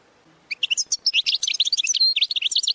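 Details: Goldfinch training song: after a brief pause, a continuous, lively stream of high, liquid twitters and chirps delivered rapidly without break.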